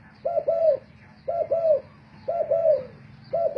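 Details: Spotted dove decoy singing in a cooing match: four evenly spaced paired coos, a short note then a longer arched one, roughly once a second, over low background hum.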